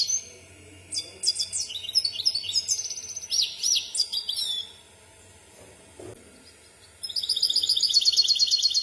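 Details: Misto hybrid canary singing on a tutoring tape for young birds: varied whistled and buzzy phrases for about four seconds, a quiet gap with a faint low thud, then a fast, bright repeated trill.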